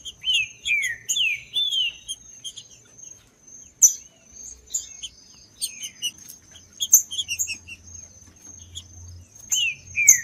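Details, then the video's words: Green-winged saltator: opening burst of descending whistled slurs, then scattered high chips and clicks, one more short slurred phrase near the end, with a constant high-pitched whine throughout. "ESQUENTAR TRINCA FERRO FRIO COM TRINCA FERRO CANTANDO"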